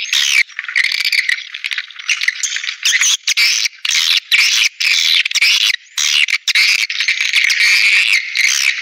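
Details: Swiftlet calling sound played to attract birds into swiftlet houses: choppy bursts of squeaky, rattling twitters about twice a second, separated by brief gaps.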